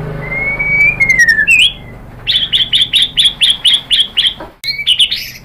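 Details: White-rumped shama singing to coax other birds into song: a long thin whistle that rises and then falls, a quick high flourish, then a run of loud clipped notes about two per second, ending in more quick phrases.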